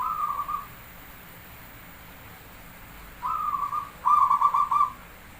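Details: Javanese zebra dove (perkutut Jawa) singing actively, a lure recording for prompting other doves: a short cooing phrase, a pause of over two seconds, then two stuttering, bubbling coos close together, with faint background hiss.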